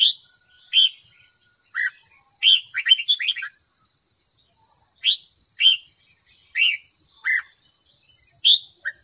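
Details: Red-whiskered bulbul morning training song for caged birds: mostly single loud slurred whistles at irregular intervals of about half a second to a second, with one quick warbled run early on, over continuous hiss.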